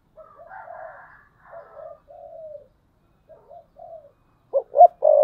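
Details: Decoy spotted dove giving 'thúc bổi' coos, 2022: soft, breathy cooing phrases with gaps, ending in two sharp loud notes and a strong sustained coo.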